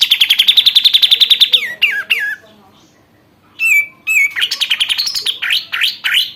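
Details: Sooty-headed bulbul, a caged bird after one month of care, in full song: a fast run of evenly spaced chirps, falling slurred whistles, a brief pause, then a lively stream of rising and dipping whistled notes.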